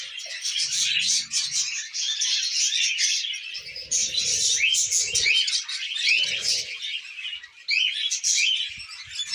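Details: Pet budgerigars eating millet keep up a constant high twittering chatter with quick chirps and buzzy warbles. Repeated soft low rustling bursts appear around four and six seconds.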